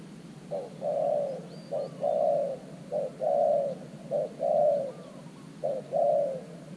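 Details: New decoy spotted dove calling at an earthen dove trap in Thailand to draw in wild birds: paired coos, a brief clipped note then a longer resonant one, repeated about every one and a half seconds.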